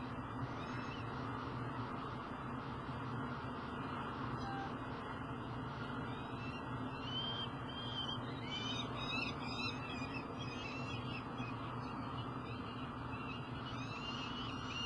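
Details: Juvenile peregrine falcons calling at a nest box on an energy site in Elk River, Minnesota, July 16, 2012: repeated harsh, wavering calls in bursts throughout, possibly two birds, over a steady low machinery hum.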